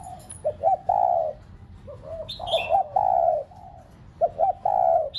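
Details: Caged decoy spotted dove whose cooing is played to urge pet doves to sing: clipped double notes lead into long mellow coos, repeated. Scattered high chirps from another bird sound in the middle.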